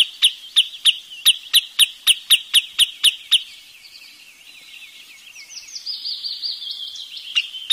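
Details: Wood sandpiper giving a fast series of about twelve sharp high notes, then a softer, wavering high warble that rises in the last seconds.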